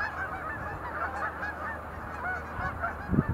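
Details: Sandhill cranes leaping in display at Montezuma National Wildlife Refuge visitor center, November 2020. A thick, distant-sounding chorus of rattling calls runs steadily with little else, and one brief low thump at the end.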